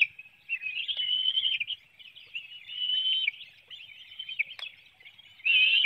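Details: Bald eagles at their Hanover, Pennsylvania nest early morning, June 9, 2019, during a fish feeding of one youngster while its sibling flaps about. Thin high whistled chatter rises and fades, quieter in the middle, with a loud burst at the end.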